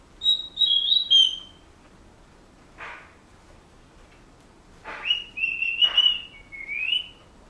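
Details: Pet Senegal parrot whistling a few bars of a song it is learning: a quick warbling run of linked whistled notes, a soft breathy sound, then a phrase of wavering, slightly falling and rising whistles.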